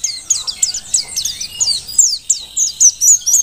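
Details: Dakun mountain white-eye from Merapi, a wild-caught bird kept as a song tutor, delivering a steady series of high, sharp, downslurred chirps at about four per second, each a bright twitter.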